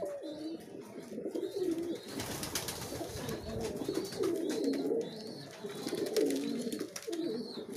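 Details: Continuous low, warbling coos from pigeons eating competitively, mixed with busy pecking and scratching noises and occasional high, thin chirps.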